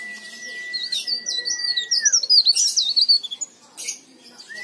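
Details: Vigorous leaf warbler singing, a lure recording for other leaf warblers; steady flat whistle falling at its close, then a quick rippling series of high wavering twitters, ending on a brief rising note.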